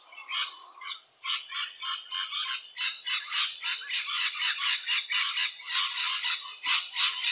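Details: Rainbow lorikeet in Australia, active around different nesting holes; a steady run of harsh, raspy, screeching notes, about three or four each second, continuing without pause for over seven seconds with no other sounds evident.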